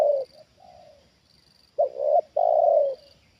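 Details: A trained spotted dove in a luring hobby reacts to a wild bird descending for the second time. A loud coo ends, quiet drawn-out coos follow, then another strong phrase of a short note and a long falling coo.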